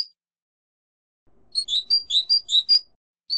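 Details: European goldfinch singing, shared for silvestrismo: an isolated chirp, then a quick phrase of about seven alternating clear whistled and slurred notes, one more note after a short gap.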